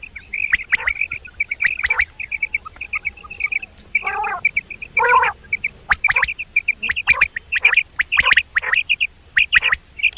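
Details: Quail, linked to quail hunting, giving rapid runs of clipped high chirps in fast series, broken by two rougher, lower harmonic bursts midway, with a constant faint hum throughout.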